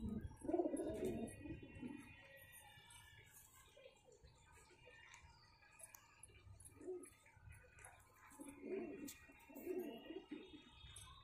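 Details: A pair of pigeons cooing in low, rolling bursts, with a phrase near the start, another around seven seconds, and two more close together near the end, separated by quiet stretches.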